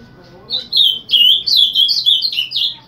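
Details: Summer tanager morning song, given every day from 7 am: a continuous string of clear, burry warbled phrases lasting about two seconds, delivered rapidly with short rising and falling slurs, with little other sound behind it.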